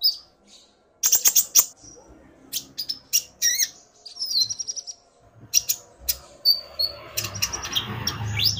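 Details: Excited male common iora answering a female: after a quiet start, a rapid burst of piercing chirps, then scattered whistled notes and trills, ending over rising background rumble.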